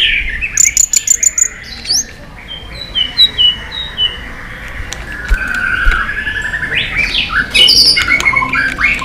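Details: White-rumped shama in competitive fighting song with many voices: sharp high chips, then quiet whistled notes and a mid-pitched warbling phrase over a soft background hiss.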